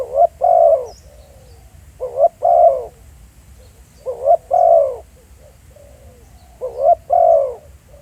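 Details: In the field, a decoy spotted dove calls four times at roughly two-second intervals. Each phrase is a short rising note and a longer mellow falling coo, with softer trailing notes and faint distant chirps.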